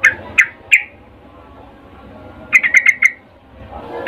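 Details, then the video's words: Female sooty-headed bulbul calling to a male, a mating lure call: three sharp chirps, a pause, then a quick burst of five bright chirps and a final note. "Trucuk BETINA memanggil Jantan Suara Birahi Ngecuplik"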